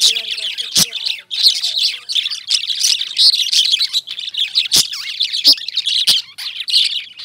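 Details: Indian lovebirds keep up a constant shrill twittering, layered high chirps and squeaks with a few louder sharp clicks breaking through.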